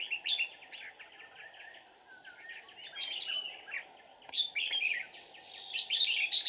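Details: Red-whiskered bulbul giving ché-style song during decoy trapping, 13 May 2019: busy, scratchy chattering broken into bursts of slurred, whistled notes, several birds seemingly calling together, ending in a louder, bright warbled flourish.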